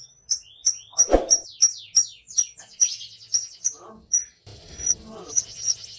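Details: A kept lovebird (Agapornis), singing in full voice with an open beak, gives a fast run of sharp, high chirps, about three a second, with a few lower chattering notes and faint indoor sounds.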